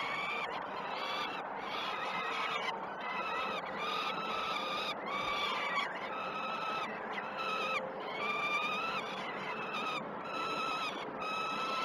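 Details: Wailing begging of peregrine falcon chicks during an early feed at the Great Spirit Bluff nest on 12 June 2018; long harmonic cries, some rising then level, follow each other with brief gaps, several overlapping.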